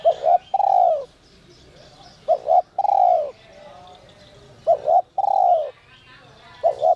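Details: Spotted dove in the 'giọng còi' (whistle-voice) style, used to stir wild doves to call: three coo phrases, each two short rising-falling notes then a long, smooth descending coo, with another phrase starting at the end.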